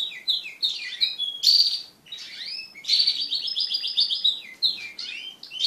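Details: Loud, dense canary song from crested pet birds mating together, mixing falling whistled sweeps, a sustained shrill note and a long rapid trill of repeated pulses.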